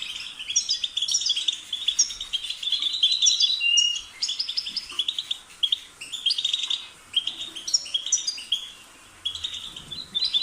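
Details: Long stretch of European goldfinch song, lively tinkling chirps and rolling twitters delivered in rapid phrases with short gaps, staying high and bright.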